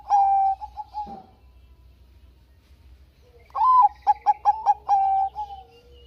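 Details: Zebra dove of the Bangkok type, used to coax lazy doves into singing, finishes one phrase on a long even note. A silent gap follows, then a full phrase: rising coo, quick clipped notes and a drawn-out closing tone.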